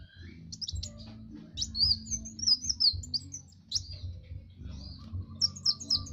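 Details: Kowul master song for teaching other birds: varied high whistled chirps and quick sweeping notes in short bursts, over a persistent low hum.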